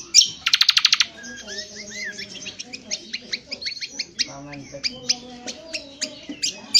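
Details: Indonesian honeyeater (cucak kombo) singing a rough twittering 'ngriwik kasar' used in bird training: an opening burst of rapid buzzy pulses, then a quick jumble of sharp chirps, short rising whistles and brief trills.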